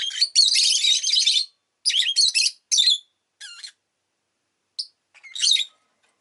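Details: Rosy-faced lovebird chattering: a long, dense run of rasping chirps, then shorter choppy bursts, a few clear wavering whistled notes, and a final scratchy burst.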